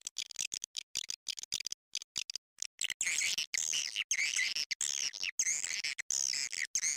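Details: Edible-nest swiftlet calling sound, made as a lure to attract swiftlets: fast, high, chattering twitter bursts that swirl and overlap, broken by abrupt silent gaps.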